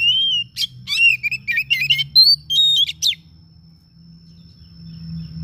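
An Oriental magpie-robin sings a rapid, varied run of clear whistles and sharp chirps, then falls quiet.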